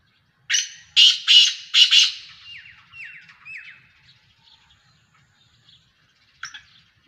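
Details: Black francolin (kala teetar) of Sheedi cross Nasal strain, speeder type: four loud, harsh, grating notes in quick succession, then three thin descending scratchy notes, a pause, and one final short harsh note.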